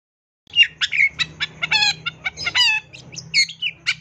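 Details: Long-tailed shrike song packed with fill-ins: dense, varied chatter mixing harsh scratchy notes with clearer ringing slurs, continuous over a steady low hum.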